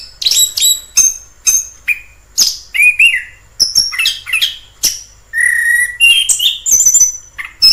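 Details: In the wild, an orange-headed thrush sings a varied series of high sharp notes, slurred whistles and a sustained clear whistled note near the end, with brief pauses between phrases.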